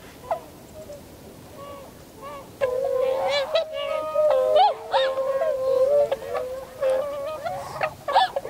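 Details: Tundra swan flock in winter, 7 February 2015, landing and flying off: dense overlapping honks and drawn-out bugling notes, many birds calling together in a continuous chorus after a quieter start.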